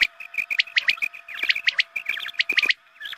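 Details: Quail calls played at dawn prayer time to draw quail in for hunting: dense, overlapping sharp chirps and squeaky notes in quick bursts, with a steady low hum underneath.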